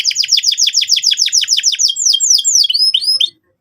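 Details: Canary singing to lure young birds into trilling: a rapid even rattle of downslurred notes, roughly five per second, breaking into wider whistled swoops before stopping.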